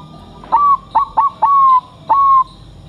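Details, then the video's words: ['Zebra dove of the Bangkok crossbred type, kept as a singing bird and put through a mental test. It sings five clear, mellow cooing notes, each starting with a sharp click. The first is short and the later ones are drawn out and slightly falling.'] "Perkutut Bangkok Uji Mental"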